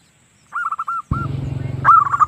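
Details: Female zebra dove call used for luring birds: a quick run of five arched, hooting notes, then a burst of low rumbling noise and a further string of similar notes at the end.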